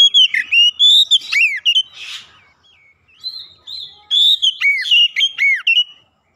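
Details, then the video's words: Oriental magpie-robin lure song for prompting silent magpie-robins: a fast run of loud whistled phrases, a brief rasp, softer sliding notes, then a strong series of arched, swooping whistles. "kicauan jernih Kacer pemikat | KACER macet bunyi langsung ikutan gacor"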